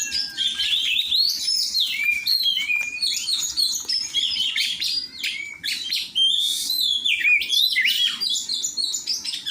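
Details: Kacer (Oriental magpie-robin) song during a joint training session: a long, lively run of sharp chirps, downward-swooping whistles and rapid trills, repeated in quick, uneven bursts.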